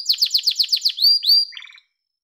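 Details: Yellow domestic canary singing: a quick series of bright repeated notes, then two rising whistled slurs and a soft low rattling trill before silence.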